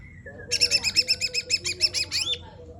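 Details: Sumatran laughingthrush (cucak rante) singing its 'tembakan' burst: a rapid run of about twelve sharp, bright repeated notes delivered roughly nine per second, with a steady chattering rhythm ending in a slurred downward note, over a faint low background hum.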